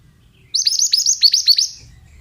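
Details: Pied bushchat, a mountain-type male, in full song: a crisp run of about nine high notes, each dropping steeply, evenly spaced over roughly a second and a quarter, then silence.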